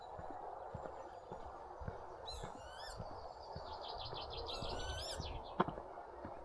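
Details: Northern lapwings flying over quiet country roads in North Yorkshire on a warm, nearly windless early morning; two wheezy, slurred 'pee-wit' calls, rising then dipping, a couple of seconds apart, over steady footsteps and low outdoor rumble.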